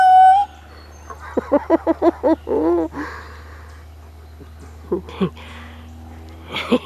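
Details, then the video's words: Male Indian peafowl performs a "hoot dash" at his toy stuffed rabbit after fanning his feathers for it: a quick forward move and feather shimmy with a fast run of about six low, hollow hoots, and a person talking briefly before and after. "Peacock Hoot-Dash"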